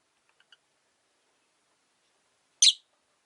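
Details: Caged rosy-faced lovebird, single since its partner died, kept near a window: a few faint ticking notes, then one sudden loud, harsh chirp.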